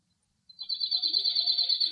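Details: Male cirl bunting singing from a rock in Greek countryside on a cloudy, windy day: a fast dry buzzy trill held on one pitch for about a second and a half, with faint low background sounds.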